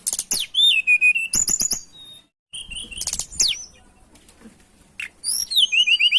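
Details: Energetic mountain tailorbird lure song: loud high whistled phrases with sliding and descending notes, broken by a short silence, then more rapid bright whistles and a trill of repeated falling notes.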